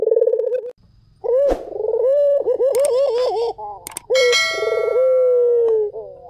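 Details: White collared dove giving rolling, pulsed coos followed by long, level, gently falling tones, repeated. Sharp metallic clanks and a ringing ding cut in, with a low steady hum underneath.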